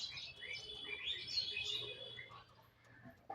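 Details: A colony of four pairs of cockatiels (Nymphicus hollandicus) chattering together in shrill, overlapping chirps and short screeches.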